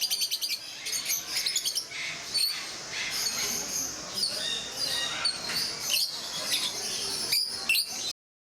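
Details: Rosy-faced lovebirds in Mysore Zoo; a flock chattering with shrill, high, overlapping chirps and squeaks, a steady busy din with sharper squeals breaking through.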